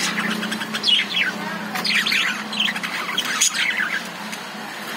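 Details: Lovebirds inside a cage give a steady stream of quick, high, slurred chirps and squeaky twitters, several birds overlapping over a low constant hum.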